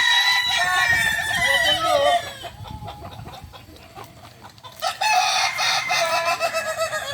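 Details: Kukuak balenggek cock at a crowing-contest final, Ampang Kualo, Solok city, Sunday 8 September 2024, giving a drawn-out, wavering crow for two seconds, then after a lull a second strong crow, amid background chatter.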